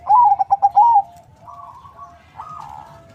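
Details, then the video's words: A farm-bred zebra dove from a local and Bangkok cross, used as a lure bird, opens with a fast run of bubbling, pulsed coo notes, then two softer drawn-out cooing phrases follow. "Perkutut crossing lokal silangan bangkok suara merdu, untuk pancingan"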